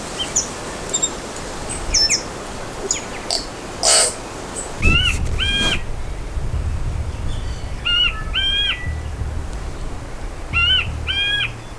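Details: On a small New Zealand island, a tui gives short phrases of ringing, bell-like paired notes, repeated every few seconds, after some clicks and squeaks; a low wind rumble runs underneath.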